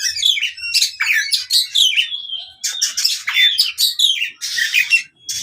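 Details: Fighting song of an oriental magpie-robin, meant for birds that have stopped singing: a continuous torrent of sharp chirps, rasping bursts and a long level whistle near the middle.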